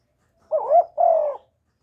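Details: Spotted dove calling to lure wild doves, recorded up close without background noise: a clear two-part coo, a low rising hollow note and then a longer steady one, in a quiet setting.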